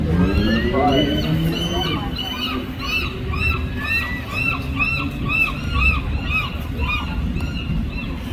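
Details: Seagulls calling: a dense chorus of short, arched, squealing notes overlapping at about two per second. Deeper honking cries open the recording, over a steady low rumble of wind or surf.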